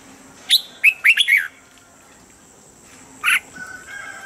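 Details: Standard morning song of a Red-whiskered bulbul for training caged birds: a lively burst of five whistled notes, bright and slightly buzzy, followed by a pause and one more sharp note, over steady low hum.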